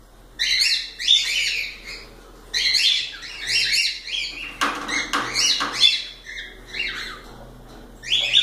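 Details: Pet cockatiels in lively song: rapid overlapping chirps and warbling whistles in repeated bursts, interrupted by a few sharp clicks, with a faint low hum underneath.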